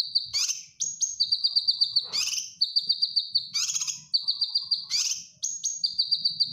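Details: Gacor cucak kinoy bulbul, a master recording for teaching caged birds: alternating harsh chattering bursts and high, quick, evenly pulsed trills, with brief sharp whistles between phrases.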